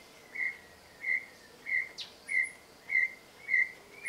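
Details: A pair of Brown Tinamous (Crypturellus obsoletus) calling just after dawn at Trilha dos Tucanos, São Paulo state, Brazil, on 30 Nov 2016: a steady series of short, clear, slightly upslurred whistles about every 0.6 seconds, with faint high insect-like ticks.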